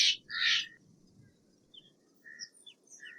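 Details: Steller's jay giving two loud, harsh, raspy broadband calls in the first 0.7 seconds, then quieter thin whistled notes scattered through the rest.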